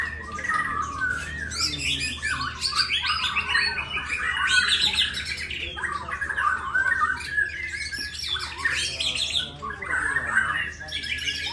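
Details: White-rumped shama of the Bornean form, known locally as murai batu Borneo, singing a dense, rapid stream of varied whistles, trills and harsh notes in continuous phrases, with a steady low hum underneath.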